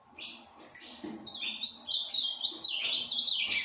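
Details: Captive stud Ultramarine grosbeak opens with two short notes, then runs into a steady, stepping warble of linked slurred whistles that grows louder toward the end.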